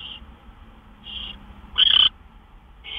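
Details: Owl at its nest just after midnight on March 26, 2013, as gophers are delivered: short raspy notes roughly a second apart, the third louder, longer and harsher, against a quiet low background hum.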